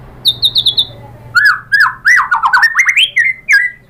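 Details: White-rumped shama, locally murai batu, used as a lure recording to provoke other birds to answer: loud varied whistled phrases, a high stuttered series followed by rising and falling slurred notes repeated in quick succession.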